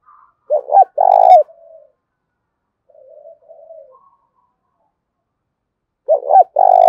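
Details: Spotted dove giving challenge coos to provoke rivals. There are two loud phrases, each with short stuttered notes and then a longer coo, with faint low cooing in the gap between them.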